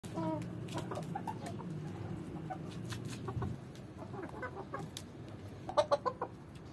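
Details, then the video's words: Swedish Flower rooster courting a hen, giving low, soft clucking murmurs through the first half, followed by scattered short clicks and a burst of sharper, louder notes near the end. "Swedish flower Rooster love hen"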